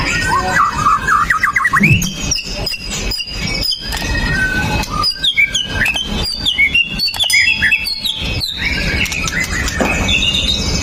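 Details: Pastol-style white-rumped shama, an aggressive fighter with sharp shooting notes, recorded on a Xiaomi Note 8 Pro to provoke other shamas into song; a rising whistled run, then clicks and high staccato phrases, ending in fluid whistles.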